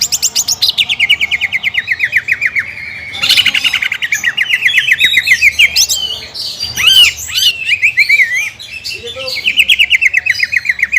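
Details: Cucak ijo, the greater green leafbird, singing a contest-style lure song that judges seek: long streams of quick repeated chirps sliding downward, broken by harsh buzzy bursts and looping whistled phrases, then another fast chirping run.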